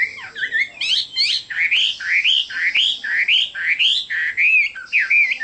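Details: Chinese hwamei repeating loud, looping whistled phrases, each swooping up then down, given about twice a second in a steady run.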